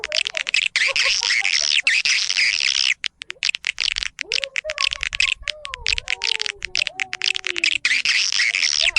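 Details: Calling sound for drawing swiftlets into a roosting colony: continuous buzzy, crackling high chatter, with several clear sliding whistles weaving through the middle section.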